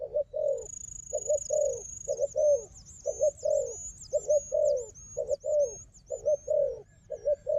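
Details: Wild dove known for fighting, with a decoy dove: repeated low hollow coo phrases, short note then sliding longer note, over a steady thin high whistle with wavering trills.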